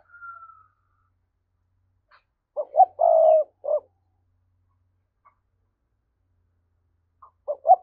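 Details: Lure recording of a spotted dove in 'thúc' coo style to excite wild doves: after a faint high whistle, one full phrase of two quick notes, a long husky coo and a short final note, then the next phrase beginning.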